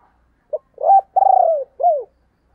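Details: Spotted dove phrase in the 'thúc + gáy gọi' style: a brief pip, then a swelling rising coo, a long rapidly pulsed coo sinking in pitch and a rounded final coo, with no other sounds.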